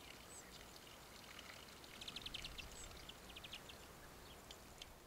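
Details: Spotted flycatcher (Muscicapa striata) in İzmir, Turkey, in September, giving thin, high squeaky calls and short bursts of quick, dry ticking notes, faint over a steady rushing background like running water.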